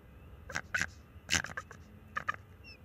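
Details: Bald eagle pair defending their nest from an intruding owl on March 7, 2024, on a close-up nest cam: several sharp, high squeaky notes in short clusters over a faint background hiss.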